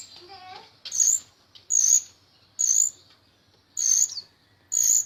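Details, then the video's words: Jalak rio-rio myna singing, for tutoring other songbirds: loud, piercing high notes with a buzzy edge, repeated about once a second over a faint low background hum. "Suara Burung Jalak Rio Rio Gacor Teler Isian Banyak"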